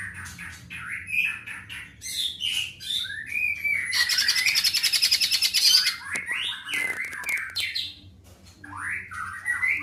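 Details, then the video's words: Greater green leafbird singing with long phrases; a varied mix of slurred, rising and falling whistles and chattered notes, broken by a two-second high buzzing trill in the middle, then more looping whistled phrases. "Pancingan Cucak Ijo Gacor Full Tembakan Panjang Jinjing Petulak"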